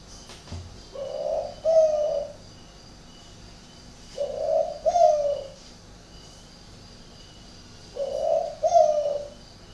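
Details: Spotted dove kept at a bird garden in Ba Vì district, Hanoi, northern Vietnam, giving an unusual cooing pattern: low hollow two-part coos, a softer note then a stronger falling one, repeated three times about every four seconds in a quiet setting.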